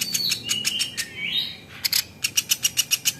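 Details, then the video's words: Velvet-fronted nuthatch, a training voice for other cage birds: a couple of rising whistled slurs, then an evenly paced run of about ten crisp high chips. "PLATUK beras masteran jitu burung juara"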